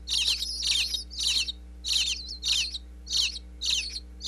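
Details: Baby bluebirds in a Pennsylvania nest box call while being fed by their parents, close wireless-mic recording inside the house: clustered high twittering bursts repeated roughly every half second, separated by short quiet gaps, faint electrical hum.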